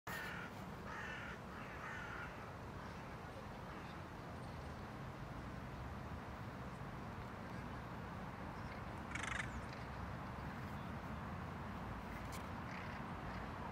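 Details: A hooded crow gives three harsh, rasping caws over a steady low rumble, then a single sharp knock later. Tivoli Landscape Park, Ljubljana, Slovenia, 26 October 2023.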